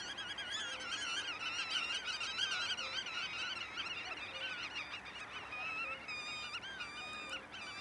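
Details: Pied avocets at Waterland-Oost nature area, Durgerdam, Holland, on 6 May 2011, give clear, fluty, wavering 'kluut' notes over and over, several birds overlapping in a busy chorus, with a soft low note now and then.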